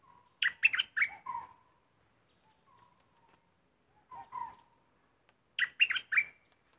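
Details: Caged bulbul used as a decoy for bird trapping, with an uninvited intruder bird turning up. Loud bursts of three or four rapid, bright chattering notes, a softer low warble between them, and then another sharp phrase after a pause.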